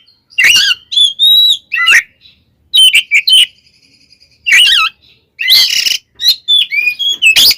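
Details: Oriental magpie-robin sings its fighting song to provoke other magpie-robins: loud rasping bursts interleaved with warbled whistles, phrases separated by brief quiet gaps.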